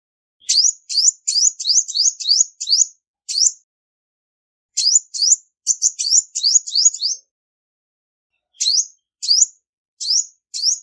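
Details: High, sharp chirps from a female olive-backed sunbird, a call meant to stir males, with no other noise. The notes come in fast bursts of several, separated by pauses of one to two seconds.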